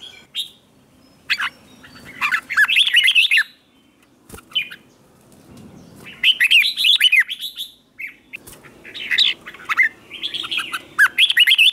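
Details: Red-whiskered bulbul morning song used to train birds for singing contests; repeated bursts of lively warbling and chattering whistles, separated by short gaps, with some sharp clicks and faint low background noise.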